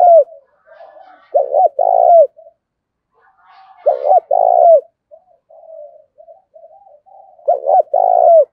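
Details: Spotted dove used as a decoy to stimulate cooing gives three low, mellow phrases about three seconds apart. Each has paired short notes and then a drawn-out vibrating coo that drops at its close, with soft mutters in the gaps.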